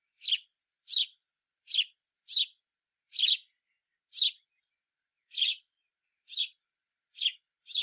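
A house sparrow gives about ten harsh, bright chirps in eight seconds, spaced unevenly roughly a second apart, with nothing else in the background.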